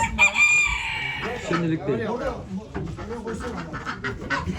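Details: Chicken at a poultry auction in Ankara, 2023: a rooster's harmonic crow opens the clip, loud and drawn out, then fades into crowded auction chatter with men talking and bidding over a busy indoor din.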